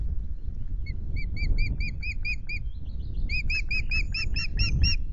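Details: Breeding osprey at Loch Garten during nest changeover on 10 May, incubating two eggs; steady strings of high, even piping notes growing louder in the second half, with a continuous low rumble beneath.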